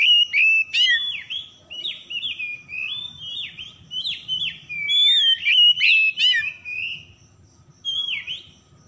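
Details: Oriental magpie-robin song meant to lure quiet birds into singing: a continuous stream of downslurred whistled notes repeated almost three per second, mixed with sharp chirps and a bright rising whistle, ending after a short pause with one more phrase.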